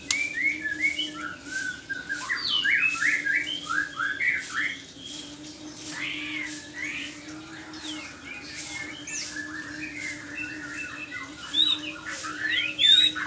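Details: Morning song of a white-rumped shama, a continuous stream of quick chattering, rising and falling whistled notes that swell and fade, with a faint steady hum underneath.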